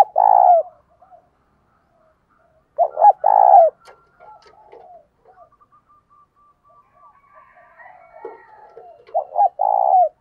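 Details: Decoy spotted dove cooing to stir up wild doves. Three loud phrases of stuttered notes ending in a long, warm coo. Quiet thin whistles and chirps fill the gaps between phrases.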